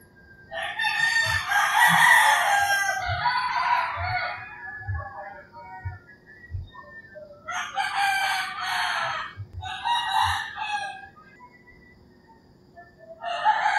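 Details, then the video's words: Early-morning roosters in rural Philippines crowing in turn: a long, loud, harsh crow at the start, then two shorter bursts near the eight- and ten-second marks, with soft bird calls and low thumping between them. "Crowing Roosters"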